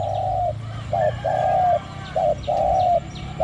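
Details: Spotted dove used as a decoy at the third spot against wild doves, giving its small, low 'ku-ang' coo: a clipped hoot followed by a long, level, slightly falling note, repeated twice, with faint chirps of other birds behind.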